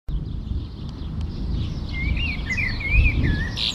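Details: A common blackbird in the Jordan Rift Valley sings a brief, fluty, warbling phrase of mellow whistled notes that rise and fall, over a steady low rumble of wind or distant noise.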